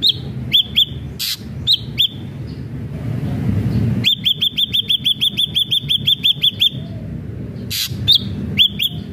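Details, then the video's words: Energetic ashy drongo song: a few paired whistles and clicks, then a sustained rapid train of around fifteen evenly spaced arched whistled notes, followed by more paired notes. "srigunting abu abu gacor"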